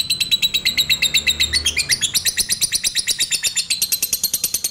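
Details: Lovebird in a sustained ngekek trill used to stimulate other lovebirds and raise their arousal: fast, high, rattling pulses throughout, with a brief pitch sweep near the middle, over a soft low hum.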